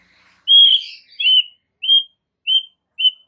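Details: White-rumped shama in masteran recording for stimulating other shamas: a burst of bright, complex warbling, then a series of short clear whistled notes repeated about every half second.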